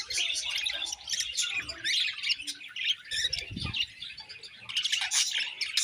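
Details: Many budgies in a cheerful colony, a thick wall of high twittering and warbling chirps, briefly thinning after one second, with a soft low knock partway through.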